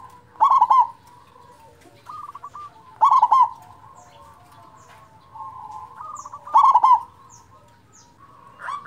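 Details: Zebra dove of a local strain with a strong voice, kept for prompting silent doves to sing. Loud staccato coo phrases of quick rolling notes repeat roughly every three seconds, with softer trilled coos between them.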